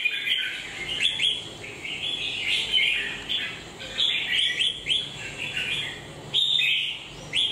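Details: Red-whiskered bulbul with a molting beak and a faint shoulder spot, pouring out repeated short whistled and chirped phrases in an uneven rhythm, some louder bursts near the end.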